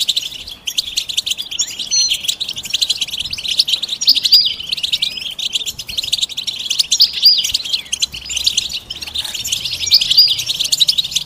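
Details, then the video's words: European goldfinch stimulation calls, the bitbita and stista types, mating and readiness calls for a silent male; steady, dense twittering with sweeping whistled notes recurring every few seconds. "بتبتة فعالة و ستستة فتاكة رهيبة في علاج صمت الحسون"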